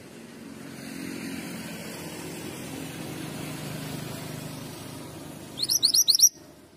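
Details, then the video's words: Steady low rumble of traffic fills most of the recording before a male Mantenan gunung bursts in near the end with a short run of quick, high rising chirps. "Mantenan gunung jantan gacor"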